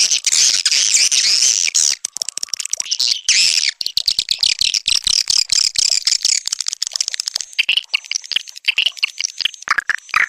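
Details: Swiftlet lure call named Sandro, played to attract swiftlets into a nesting house: dense, high twittering chirps and squeaky trills layered continuously, with rapid clicking pulses throughout and no pauses.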